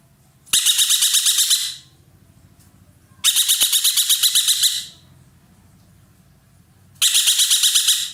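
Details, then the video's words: Roller called ekek keling, kept in Indonesia as a tutor bird for other songbirds, singing loudly: three rasping bursts of rapid throbbing pulses, each over a second long, roughly three seconds apart. "burung ekek Keling gacor nembak"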